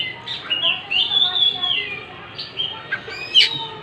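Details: Oriental magpie-robin singing while fanning its tail: drawn-out, wavering whistled notes blending into a continuous phrase, followed by short chips and a sharp high note.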